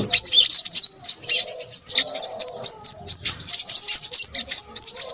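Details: A continuous stream of shrill, rapid twitters from a Crimson sunbird, with sharp tiny notes packed closely together. A quiet low murmur runs beneath.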